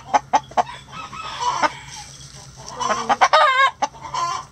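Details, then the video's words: Chickens at feeding time in a coop: sharp clucks repeated at intervals, then a burst of warbling, wavering squawks and more clucks, over a low background hum. "Feeding The Chickens | Relaxing Chicken Coop Sounds"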